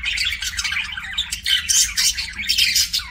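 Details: Pet budgie giving so-called kissing sounds, a dense, continuous run of high scratchy chirps, clicks and warbles with loud peaks, over a faint low hum.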